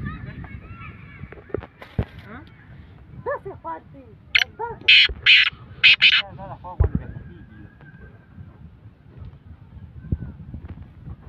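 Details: Female black francolin calling after rain: a run of five harsh, grating bursts in quick succession mid-recording, with thin chirping notes from other birds before and after and faint background noise.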